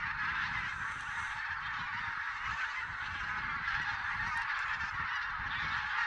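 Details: Wintering geese in Silesia during a November 2016 census, possibly Barnacle, White-fronted, Greylag and Bean Geese, keep up a roaring chorus of overlapping honks, constant in loudness, one sharp higher note standing out briefly.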